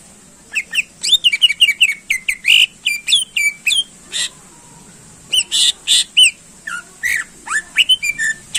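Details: Greater green leafbird singing a full varied song to rouse contest birds: a long run of rapid whistled slurs and sharp chips, a short pause, then more loud chirps and curling whistles.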